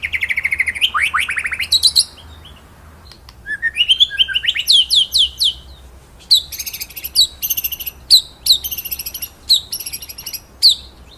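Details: Rolling, shooting master song of a white-rumped shama, meant for teaching other birds: rapid downward-stroked notes, a pause, rising whistled sweeps, then rhythmic bursts of piercing high notes repeated about every half second.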